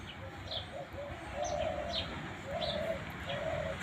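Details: A dove (ghughu) gives soft, low, hollow coos in steady phrases in a village setting with lemon and mango trees. Sparrows chirp higher above, and a faint rural hum is heard behind.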